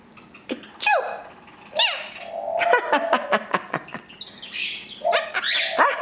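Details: A pet female Quaker parrot (Monk parakeet), almost 3 years old, talks in a raspy, squeaky voice, imitating words like "bye-bye" and "peekaboo" mixed with clicks and sharp rising whistles.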